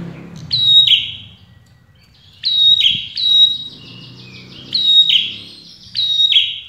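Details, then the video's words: A red-headed prinia sings four high, sharp phrases about two seconds apart, each a bright whistled note sliding into a buzzy trill; the recording is played to make other prinias answer. "prenjak kepala merah dijamin pasti nyaut"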